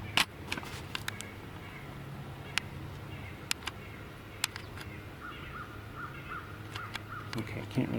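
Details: Unseen nuthatch heard from a trail near a pond, giving a run of about seven short, nasal, evenly spaced notes at a steady mid pitch, over low background hum, scattered clicks and a quiet voice.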